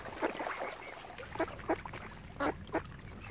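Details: On Lough Neagh at Oxford Island, Ireland, ducks near a swan family utter a few separate, short, coarse quacks spaced irregularly, over a soft background murmur of other birds.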